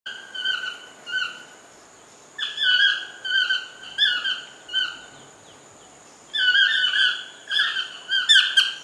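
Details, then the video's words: A toucan calls in a lodge garden, giving nasal, squeaky yelping notes in quick bursts of three to five with short pauses between runs; the background is quiet. "CHANT DU TOUCAN"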